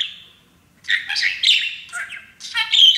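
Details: Happy male pet parakeet practising phrases taught by his owners; after a quiet start, a run of scratchy, buzzy mimicked syllables ending in a harsh squeak.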